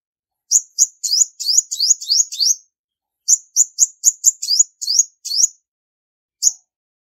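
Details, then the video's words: A female olive-backed sunbird gives clean, piercing chirps in two quick series of about eight notes each, followed by a single note, with no background noise. The call is used to excite males. "Tiếng chim Hút mật 5 màu mái không tạp âm | Olive-backed Sunbird Female"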